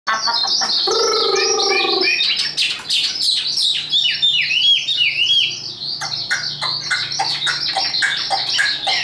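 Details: Tame hand-carried Chinese hwamei, a caged songbird kept for fighting, singing high: loud rapid whistled phrases and sharp chirps, a brief lower harmonic warble early, then fast repeated downslurred notes.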